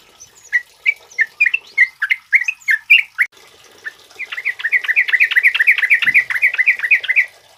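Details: Yellow-vented bulbul (trucuk kebo) male, used to train other birds, sings a string of spaced, gurgling notes. It then breaks into a dense, fast bubbling chatter for the last three seconds.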